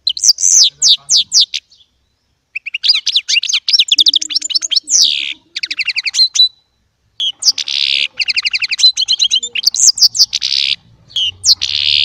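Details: Little goldfinch hybrid (baster) singing goldfinch song: long sequences of quick tinkling notes and dense buzzy trills, broken by brief silences, with a low hum near the end.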